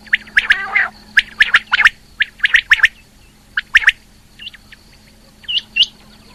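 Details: Female rain quail calling in loose clusters of sharp chirps after an initial harsh, gargling squawk, tapering to a few thinner upslurred notes near the end over a steady hum.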